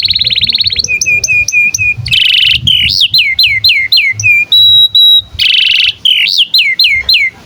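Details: Domestic canary singing tutor material for young and non-singing canaries: a sequence of varied tours, buzzy trills, repeated hooked whistles, and a flat sustained whistled note, each phrase switching quickly to the next.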